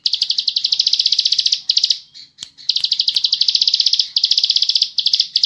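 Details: Bar-winged prinia in a long, fast, tightly packed ngebren-style song: extended buzzy trills of rapid high ticking notes, broken near the middle by a brief pause with a few softer notes before the trill resumes.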